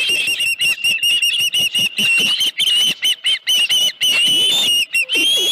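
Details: Osprey at a ranch nest on the morning of 31 July 2018, a headless fish delivered: continuous, piercing whistled chirping in fast, uneven bursts with barely any pauses.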